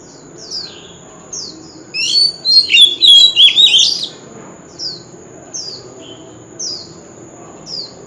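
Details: A male Oriental magpie-robin in contest fighting song with wild-type voice: soft down-slurred whistles spaced about a second apart around a loud two-second burst of varied sweet whistles and trills, over a steady high-pitched tone.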